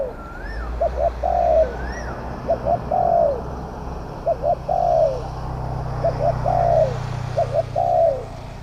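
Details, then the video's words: A spotted dove coos near a trap cage set with a decoy. It gives steady low phrases of two quick notes and a longer falling coo, repeated about every 1.7 seconds. Thin higher whistles from another bird and constant background rumble accompany it. "ต่อนกเขาใหญ่ ต่อเพนียดเถรเปือย"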